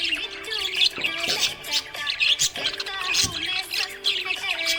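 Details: A happy budgie chatters in rapid, busy runs of sharp high chirps and warbling squeaks. Music plays underneath throughout.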